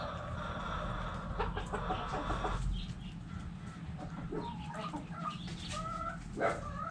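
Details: Backyard chickens: a hen gives drawn-out, nasal clucking notes for the first two and a half seconds, followed by scattered short clucks and chatter over a steady low rumble of background noise.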